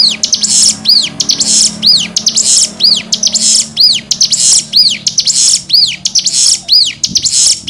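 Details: Cigun singing in the nembak style, used as tutor song for training young birds: loud repeated arched whistles sweeping up and down, each paired with a buzzy high burst, about one phrase per second, steady and clear.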